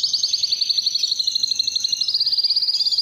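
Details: Canary singing to draw females for reproduction, a steady, very fast high-pitched trill of evenly repeated chirping notes, running without pause and climbing slightly higher toward the end.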